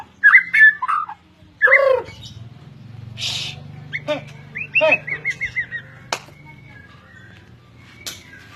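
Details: White-rumped shama, Medan fighter type, giving a varied song of loud whistled phrases, harsh squawky notes and sharp clicks, with pauses between bursts and a faint low hum beneath.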